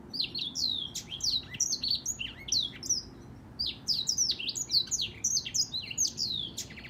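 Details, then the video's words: Lively, unbroken song of a black-throated canary: bright, high, quickly varied notes, slurred whistles and chips tumbling in rapid succession for the whole stretch, with a faint low hum behind. "黑喉燕 Black throated canary singing"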